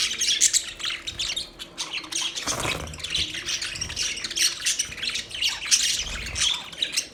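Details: Steady budgerigar chatter of scratchy chirps, squeaks and warbled squawks runs without pause over a faint hum, with a brief louder low-pitched burst near the middle.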